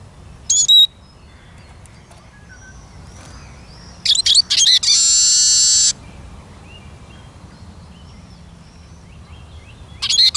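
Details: Eurasian siskin singing: a short high chirp, then two quick bursts and a loud one-second buzzy wheeze, with a final chirp at the end and faint distant twitters between.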